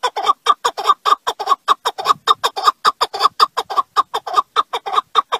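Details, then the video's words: Loud, close partridge calling in an unbroken series of harsh chucking notes, about four per second, each a short rasping burst with a clear ringing core, pattern steady throughout with near-silent gaps between notes. "En güzel Keklik Sesi 1/Partridge voice"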